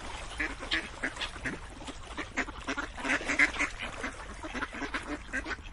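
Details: Ducks chatter in a flock, short nasal quacks bursting out irregularly over a softer background of more distant calls.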